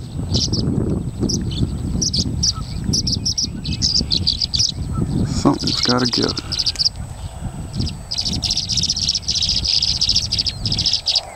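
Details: Several migrant tree swallows competing for nest boxes at the Salmon Creek box grid as more birds arrive give bright, liquid chirps and twittering bursts, overlapping in a busy chorus, while a man talks quietly underneath.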